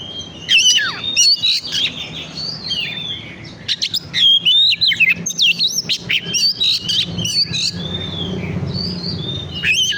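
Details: Oriental magpie-robin singing a lure recording meant to rouse birds: rich, continuous high whistles, slurred rising and falling notes and scratchy chatter in rapid bursts, steady low background hum.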